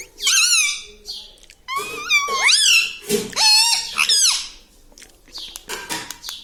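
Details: Parrot known for talking, said to say papa and mummy, voicing a chain of high, strained, wavering syllables that rise and dip, densest in the first half, fading into softer scattered squeaks and clicks.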